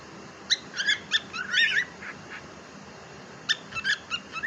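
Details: Pet cockatiel uttering clusters of quick sharp chirps and brief warbling notes in two bursts separated by a pause, with steady background hum.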